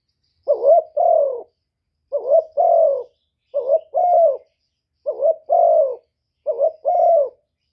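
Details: Decoy spotted dove giving gáy gù coos: five paired phrases, each a short rising hooked note then a longer, slightly falling coo, repeated about every one and a half seconds against silence.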